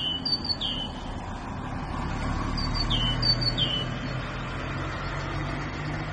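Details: Grey bulbul song: paired high whistled notes dropping to a lower slurred note, repeated several times in the first four seconds, then fading, over a steady low rumble of passing traffic.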